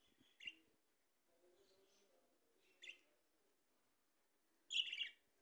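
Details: Australian parrots noted as talkers utter scattered short scratchy calls, building to a louder, longer grating squawk near the end, with faint low murmuring in the background.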